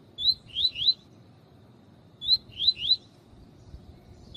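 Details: Double-collared seedeater male performing a 'tui tui' teacher song with a calling female, used to stimulate males. Two clear phrases of three rapid slurred upward whistles, about two seconds apart, over faint low background noise.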